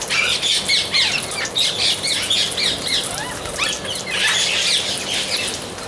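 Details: Amazon parrots calling in a dense run of harsh, grating squawks and screeches, overlapping almost continuously, with bursts of louder raucous calls toward the end.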